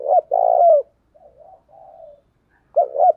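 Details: Cooing of a decoy spotted dove meant to attract wild birds: one loud, hoarse phrase with a stuttered start and long rolling coo, then soft low murmurs and the opening notes of another phrase. Clean recording.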